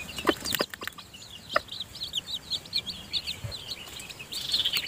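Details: Newly hatched chicks being fed by the mother hen in her nest, giving rapid repeated high peeps, some rising and some falling, with a couple of brief clucks early on.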